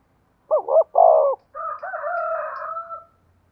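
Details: Decoy spotted dove singing 'giọng thổ' style. A doubled hoot and a strong coo lead into a long, wavering, drawn-out final note that trails off. A clean recording with no other sounds.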